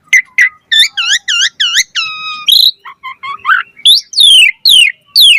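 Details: Asian pied starling in full, chatty song rich with fill phrases, used as a lure to make starlings sing: a run of harmonic, V-shaped whistled notes repeated about once a second, a flat steady tone, then bright falling whistles.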